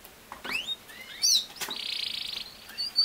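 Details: Canary singing used to tutor a young male separated into his own cage so he learns to sing: rising whistled sweeps and a sharp slurred note, followed by a long, steady, rattling trill lasting about a second, then a final chirp.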